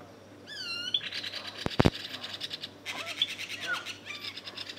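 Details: Common green magpie in Khao Yai National Park, Thailand: a clear upslurred whistle, then a sharp clatter and a run of harsh, buzzy chattering notes mixed with short downslurred whistles.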